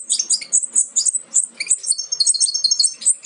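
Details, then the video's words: European goldfinch fledglings almost ready to leave the nest, from a Major goldfinch carrying aminet paired with an ancestral Parva; rapid high thin chirps and short twittering bursts, several birds overlapping, with a brief sweeter trill near the end. "Jilgueros casi listos para saltar del nido"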